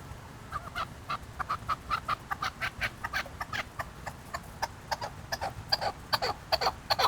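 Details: Chukar partridges from Qubodiyon giving a run of short, clucking chuk notes, about two or three a second, unevenly spaced and growing louder and more crowded toward the end, over a low background hum.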